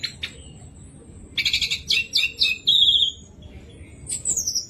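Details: Orange-headed thrush singing to prompt other thrushes: a few sharp notes, then a quick run of buzzy phrases ending in a long flat whistle, with a final descending high slur.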